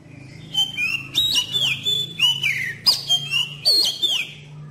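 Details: Magpie-robin lure song used to train young birds to sing: a rich run of whistled, swooping notes and sharp chips, repeated in short bursts over a steady low hum.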